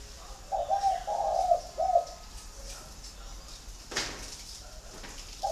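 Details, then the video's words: In Ba Vì, Hanoi, Vietnam, a spotted dove from a home flock utters one three-part throaty coo, followed by quiet background and a sharp knock. "Nhà chẳng có gì ngoài đàn CHIM CU GAY"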